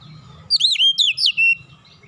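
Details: Oriental magpie-robin singing relaxed, used as a lure to spur untrained birds of its kind into song. Loud, clear whistled phrase of five swooping, slurred notes in about a second, ending on a long falling whistle over soft low background hum.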